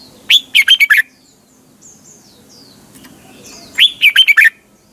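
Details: Red-whiskered bulbul singing a morning lure song meant to train and excite caged birds, double twisting voice: two rapid phrases of five or so loud, slurred whistles, separated by about three seconds of soft, high distant chirps.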